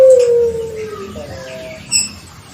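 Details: Tail of a coo from a six-month-old pelung Barbary dove kept in an early pairing to prompt calling: a sustained tone sliding steadily downward, then a softer level hum, and a short click.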